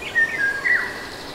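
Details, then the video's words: Eurasian golden oriole in the Nagyerdő forest, Debrecen, giving a liquid whistled song of two or three mellow fluty notes, the last one slurring downward, over a quiet woodland backdrop. "Erdő, sárgarigó, kakukk és esőcseppek hangjai"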